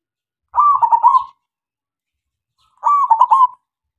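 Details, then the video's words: Local zebra dove in full song, used as a lure to make other doves sing. Two loud, quick trilled coo phrases, each under a second long, are separated by about a second and a half of silence. "SUARA PERKUTUT LOKAL SUPER GACOR MEMANCING SEMUA KUTUT DIAM JAMINAN NYAUT."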